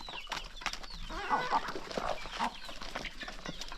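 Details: Hungry flock of chickens gathering at their first feeding of the morning in the countryside, pecking and clucking; overlapping short clucks and chirps among clicks of pecking and scuffling feet.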